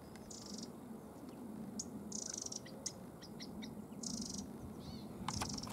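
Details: A European robin sings at Stiffkey Saltmarshes on the Norfolk coast, UK, on 11 October 2015 at 9:18 am. It gives short, thin, very high trills and warbles, each different, between brief pauses, over a low wind-like rumble.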